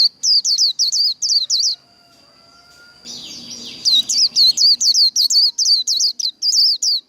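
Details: Japanese white-eye in líu đấu fighting song, repeating piercing high whistles that slide downward, four or so per second, broken by a brief gap with a faint hum and a soft rustling noise before the notes resume.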